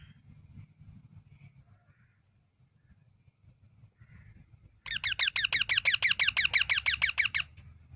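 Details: Parrot: about five seconds of near quiet with low rumble, then a burst of rapid, harsh, harmonic-rich notes repeated about eight times a second for two and a half seconds before stopping abruptly.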